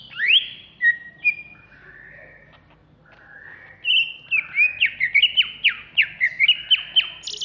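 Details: Agitated caged greater green leafbird, Alas Purwo origin, Jatiasih, Bekasi: a few loud whistles, then a softer lull, then a fast chattering cascade of clear downslurred notes building toward the end.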